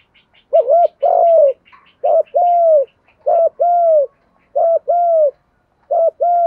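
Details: Trapping decoy spotted dove in 'thổ pha' voice, cooing rapidly: five phrases in quick succession, each a short double note and a steady falling coo. Faint high chirps from other small birds are heard early on.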